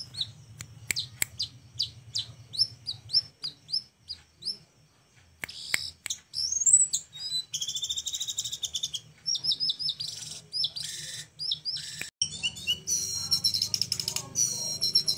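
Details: Small flowerpecker singing with a very unique style, recorded as a tutor song for other birds: rapid dry clicks and high chips, brief pauses, then squeaky slurred notes and dense buzzy trills.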